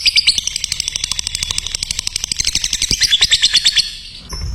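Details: Lovebird chatter meant for training other lovebirds: fast, shrill, buzzy notes in a continuous stream, some whistled accents near the start and end, fading out at the close.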